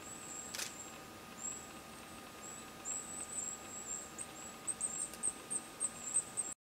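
A Goldcrest sings a very high, thin series of repeated needle-like notes that grow sharper and more distinct toward the end, over a faint steady hum.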